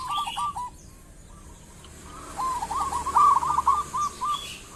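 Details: Local zebra dove singing energetically: a short rolling coo, a pause, then a longer run of rapid, bubbling cooing notes that trail off into separate coos, over soft background noise.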